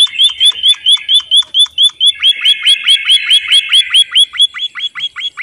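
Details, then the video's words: Actively singing white-headed munia: rapid, regular chirps, each a quick upward flick, running continuously at roughly two per second, with overlapping lower notes in the middle section and the rhythm holding to the end. "suara burung emprit bondoh haji gacor"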